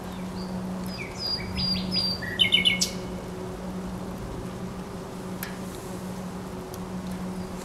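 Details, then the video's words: Short song phrase of a thrush nightingale at the Żerań Canal on 24 April 2022, with a few high whistles leading into a quick cluster of loud clicking notes, then quiet with a continuous low drone. "Śpiew słowika rdzawego"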